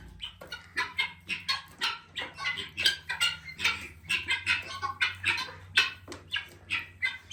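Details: Guineafowl making noise at a farm where chickens are drinking water: harsh, rasping, rapid calls, about three a second, overlapping in a loud flock chatter, with a faint low hum underneath.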